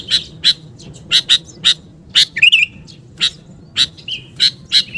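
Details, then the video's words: Sooty-headed bulbul (kutilang) call used to lure birds: sharp, high chirps given singly or in quick pairs, with a brief bubbly warble in the middle, over a quiet background. "SUARA PIKAT BURUNG KUTILANG GACOR"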